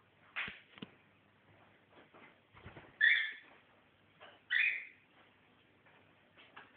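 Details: Pet cockatiel calling indoors, apparently objecting to green socks: two harsh, short screeching calls about a second and a half apart, amid soft clicks and quiet rustling, with a brief spoken Dutch word before.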